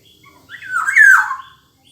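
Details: Black-naped oriole, known as kepodang: one harsh, nasal note lasting about a second, sliding downward through a mid-high pitch, loud and grating, with quiet background before and after.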